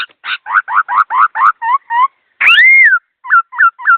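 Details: Captive laughingthrush singing fast with clear tone. Rough repeated notes, then two-part whistles, one long loud whistle that climbs and then falls away, and three short hooked whistles.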